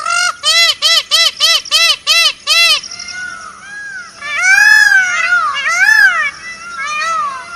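Indian peafowl giving a quick run of seven nasal, arched honks, then several louder, drawn-out wailing cries that rise and fall.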